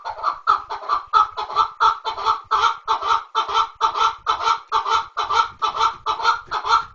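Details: Loud, close chukar partridge uttering a rhythmic chain of harsh, throaty chuk notes, more than two per second, each note full and broad, repeated without pause over several seconds.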